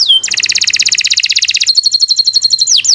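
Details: Canary long song for training young birds: a fast regular trill of bright notes, about four per second, shifting into a higher thin trill and ending with two descending whistles.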